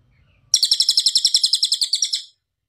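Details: Cililin bird singing loudly, one fast run of about fourteen harsh, high, evenly spaced notes lasting nearly two seconds, then stopping abruptly into silence.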